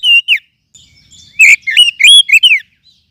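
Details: Lure song of a wild forest oriental magpie-robin, meant for teaching other birds: two brief whistles, soft scratchy notes, then a quick string of sliding, slurred whistles, with a faint click in the middle.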